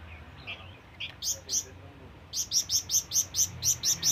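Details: Flamboyan bird calling to attract rivals: a few scattered high chirps, then a fast, steady run of ten sharp high notes, about four per second.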